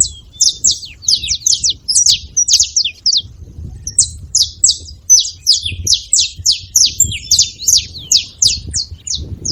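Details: Saffron finches gathered noisily at a feeding spot: a dense, continuous chatter of high, sharp chirps and short downslurred notes, many birds calling over one another with barely a pause, over a low background rumble.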